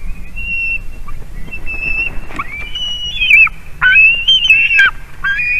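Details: Female White-tailed eagle at a Latvian nest, 22 March 2019, squealing excitedly as the male delivers a carp: long high whistled squeals, some bending upward, breaking into loud rapid yelps. Low background rumble.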